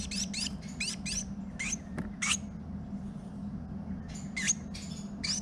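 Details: Female Carolina wren, nest building with her mate in a garage in mid-March, gives quick, high, scratchy chittering bursts, about a dozen in five seconds, over a low mechanical hum; first thought to be babies, apparently her talking to her mate.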